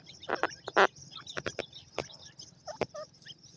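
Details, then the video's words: Grey francolins with chicks: brief harsh clucking bursts and sharp clicks, with small high squeaky chick notes appearing between them, especially late in the recording. "Dakhni Teetar Awaaz with,BabyPartridge Fun Sound"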